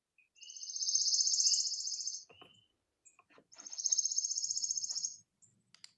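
Two rapid, buzzy trills from a Palm Warbler, high-pitched and even, each lasting almost two seconds, with faint clicks between them.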